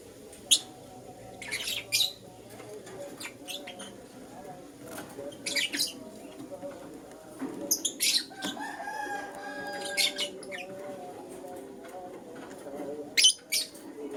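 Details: Morning chirping from a lutino lovebird, with harsh, shrill bursts scattered irregularly, some in quick pairs, and one longer rasping call near the middle, set against a constant low droning background.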